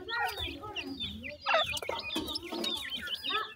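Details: Young partridges feeding together give a steady stream of thin upslurred peeps and twittering notes, many birds calling at once, with soft low clucking underneath and a few sharp clicks.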